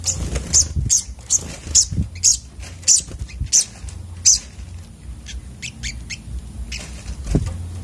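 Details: Agitated sunbird in a therapy recording: loud, piercing high squeaks about twice a second for four seconds, then softer scattered chirps, over a low hum.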